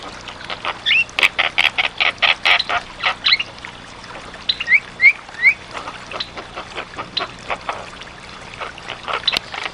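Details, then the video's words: Javan myna song for training other birds: quick volleys of harsh chacks, then a trio of rising whistles, followed by more scratchy chattering notes throughout. "BURUNG JALAK KEBO GACOR"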